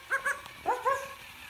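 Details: Green-pied Indian ringneck parakeet, a pet, barking at its beloved toy dog: two quick pairs of nasal, yelping bark-like notes, each pair rising then falling, in a quiet room.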